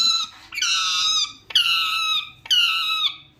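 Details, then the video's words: Small parrot talking: three drawn-out, nasal, harmonic-rich syllables, each under a second long and about one second apart, steady in pitch with a slight drop at the end, in a quiet indoor setting. "parrot talking"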